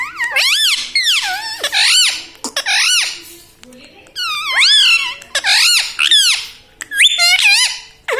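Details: Talking pet parrot saying words such as mummy and radhe radhe indoors: loud, shrill, bending syllables in quick bursts, rising then dropping in pitch, repeated in phrases of roughly one second across the whole stretch.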